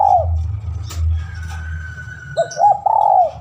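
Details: Spotted dove calling a rival in a lure recording: the tail of one coo, a pause, then stuttering short notes leading into a long smooth falling coo, with steady low droning hum.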